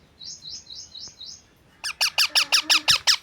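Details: A pet talking parrot called Mithu gives five thin, high chirps, then a quick burst of about nine loud, harsh, squawking calls at roughly six per second.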